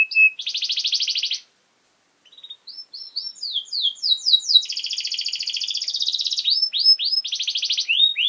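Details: Caged canary singing as a training model for young birds: a fast trill, a short pause, then chirps, downward-slurred notes, a long rolling trill and repeated sweeping whistles.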